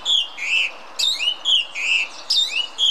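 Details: Song thrush song recorded in the Munich Botanical Garden, Germany: a clear fluty phrase of a high note and a lower slurred whistle, repeated three times with brief gaps.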